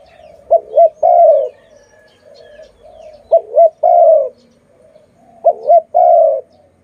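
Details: Loud pet dove repeating a three-part phrase three times, roughly every two and a half seconds: a short wavy double note, then a longer coo that slides gently downward, over a soft low background hum.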